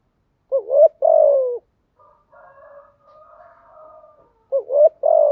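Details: Spotted dove decoy song used to train newly caught doves to coo: two low phrases, each a short wavering double coo followed by a longer, slightly falling coo. The phrases are about four seconds apart, with faint soft notes between them.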